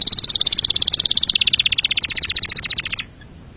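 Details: Canary delivering one rapid, even trill of high pulsed notes, about fifteen per second, sliding slightly lower toward the end and stopping abruptly after three seconds.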